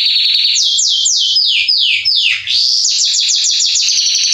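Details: Salsa Belgian canary male singing to stir other canaries into song: a run of big downsweeping whistles, then fast bright trills at high pitch.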